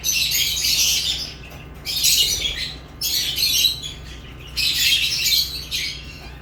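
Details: Three long bouts of dense, scratchy, high-pitched chattering from lovebirds, each lasting about a second or more, with quieter gaps between and a low constant hum underneath.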